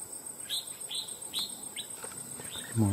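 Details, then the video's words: Red-whiskered bulbul, a wild bird trapped for fighting, gives a few separate clear upslurred whistled notes about every half second, then a man starts talking at the end. "Bổi Cực Lì Sau Gần 2 Tháng 2 Ae Thay Nhau Bẫy.Đã Về Đội/Ché Đè/Bung Xoè/Cực Mau Mỏ Giọng To Chuông"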